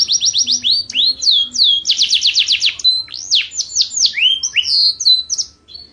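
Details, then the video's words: Canary singing loudly: a rapid series of repeated high trilled notes, then swooping whistles and varied chirps in quick succession, ending with a brief fading note; faint low noise beneath. "تغريد مع جميع أنواع طيور الكناري"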